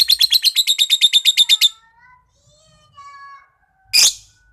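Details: Young pet lovebird practising its chattering trill: a rapid series of about fifteen buzzy notes, then soft whistles and one loud harsh chirp at the end, indoors.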